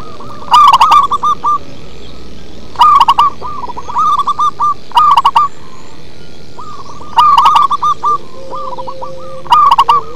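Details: Local zebra dove singing in a deep, bass-heavy style: rapid stuttering coos in short phrases, a loud burst alternating with a softer rolling trill, repeated about every two to two and a half seconds.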